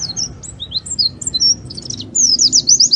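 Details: Oriental white-eye in energetic song, meant as a lure: scattered high sharp chirps, then a quick regular series of bright notes, over a low background hum.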